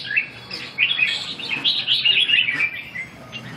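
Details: Red-whiskered bulbul at a song training session on 2 June 2012, delivering a continuous bubbling run of sweet, slurred whistles that rise and fall quickly before fading, with a faint low hum underneath.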